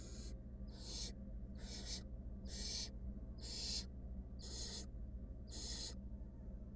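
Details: Wild female barn owl at a monitored nest box, attacking her mate or an intruder: seven harsh, hissing screeches, each about half a second, repeated steadily under a constant low electrical hum.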